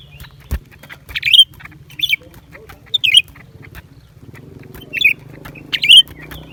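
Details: Lesser green leafbird song from January 2023. Loud, sweet slurred whistles arrive roughly once a second in separate phrases over a steady low hum, with a faint murmur entering partway through.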